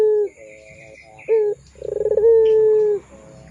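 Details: Pelung Barbary dove cooing on a lure recording meant for young birds. Short low coos come first, then a quick throbbing roll leads into a long, even, hollow note that fades out.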